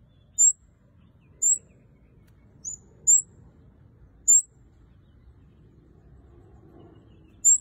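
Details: Red-headed kemade singing actively, giving single high, thin chirps spaced about a second apart, each short and slightly down-slurred, over a quiet low background hum.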